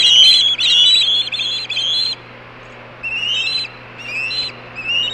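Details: Osprey chicks screaming on the nest, two chicks calling in 2014: loud, high, harsh repeated whistled screams, several run together in the first two seconds, then shorter separated bursts, with a faint steady low hum behind.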